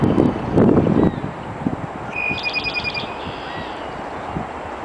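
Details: A red-winged blackbird on a snowy spring morning, about 8:15 am on 23 April 2013 in Loring Park, Minneapolis, gives a single raspy, buzzy trill of about a second at a steady mid-high pitch, over heavy wind rumble and gusts.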